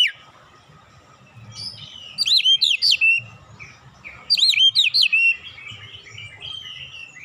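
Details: Training-lure song of an oriental magpie-robin mixing in imitated tit phrases: two bursts of rapid sharp whistles, quick up-and-down notes repeated five or six times, separated by quieter chirping and faint low rumble.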